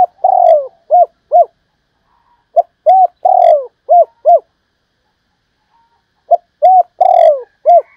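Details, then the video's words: Spotted dove used as a perch decoy and valued as an excellent singer, one bird in thirty, repeats its cooing phrase three times; each opens with a soft note, swells into a long falling coo, then ends in short hollow notes. "Cu gáy mồi cây, hót hay 30 con có một"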